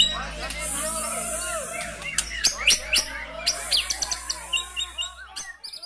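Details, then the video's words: White-rumped shama in full song with 'brantakan' filling material: a dense jumble of quick downslurred whistles and sharp high clicks and chips, with a steady low hum underneath. "Murai GACOR bongkar MATERI * isian BRANTAKAN"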